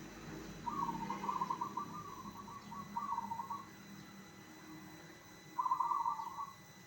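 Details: Song of a zebra dove, used to prompt other zebra doves to reply: a long rolling trill of quick soft coos, then a pause and a second shorter trilled phrase, with low background rumble.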